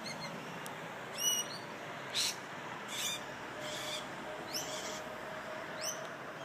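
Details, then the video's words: A couple of parrots in a tree in the morning grounds of a bed and breakfast in Perth, near a river, give about six harsh, grating screeches at an uneven pace over steady traffic rumble beyond a wall. "and all the birds that you're hearing in the background this morning, there's a couple of birds in a tree, are actually parrots."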